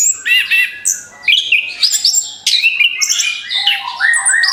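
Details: Orange-headed thrush song used as a lure for other birds: a loud, rapid, varied run of whistled phrases, buzzy notes and chirps with sudden pitch jumps, plus a steady low whistle tone in places.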